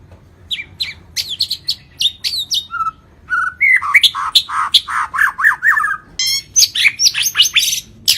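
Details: Energetic song of a Lampung white-rumped shama packed with varied fill-in phrases: sharp chips, short low whistles, then dense runs of rich warbled notes and rapid high chirps continuing to the end.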